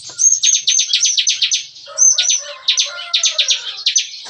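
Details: A caged bar-winged prinia at a breeding aviary gives its busy morning song, likened to shooting: two long runs of rapid, evenly pulsed high buzzy notes, each introduced by a thin whistle.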